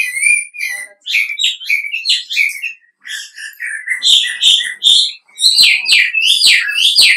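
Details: Lively wambi recording used to lure other wambi into replying: quick bursts of whistled and chirping notes with brief gaps, becoming louder and more crowded, with sharp clicks near the end.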